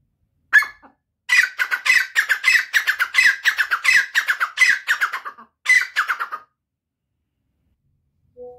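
A grey francolin gives a loud, harsh series of scratchy notes, about a dozen in quick rhythmic succession, then a short second burst after a brief pause.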